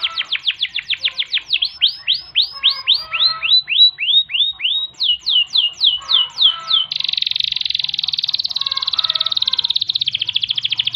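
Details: Canary in full rolling song, meant for tutoring and provoking other birds: a series of swooping notes, a faster run of sweeps, then an extended rapid buzzing trill to the end.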